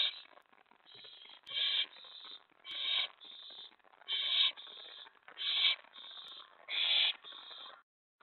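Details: Owls at a nest around 1 AM on 24 May 2017 during mouse and rat deliveries. Harsh, hissing screeches are repeated roughly every second, with softer rasping between them and faint scraping in the nest.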